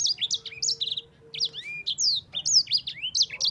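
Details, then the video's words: Sanger, or Yellow-fronted Canary, singing a champion-style long roll: rapid chains of bright, high, down-slurred whistles and buzzy trills, one short pause midway, then another lively run; steady low background hum. "Kicauan Sanger Gacor Roll Juara"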